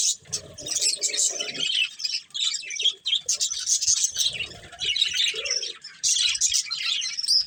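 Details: Breeding pair of budgerigars chattering in long bursts of high, scratchy warbled chirps, broken by short pauses and a few lower nasal notes.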